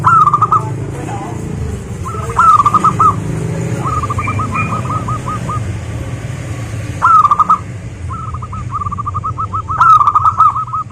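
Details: Local zebra dove song, used to lure local zebra doves into singing: rapid staccato bursts of rolling coos, several phrases of quick repeated notes separated by pauses, over a steady low rumbling hum like traffic.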